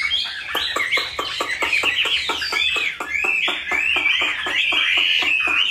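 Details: Chinese hwamei in a cage giving a rich, rambling whistled song over a steady background of sharp clicking taps, roughly one or two each second.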